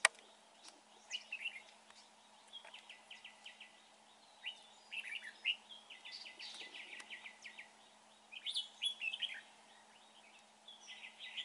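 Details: A Red-whiskered bulbul used in bird trapping gives bright, chattering bursts of quick whistled notes, with short phrases repeated every second or two over a faint background hum.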